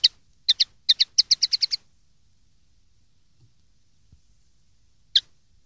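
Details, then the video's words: Common linnet song phrases used to teach young linnets: a rapid series of about a dozen short high twittering notes, then silence and one final isolated chirp. "cd educar pardillos noveles"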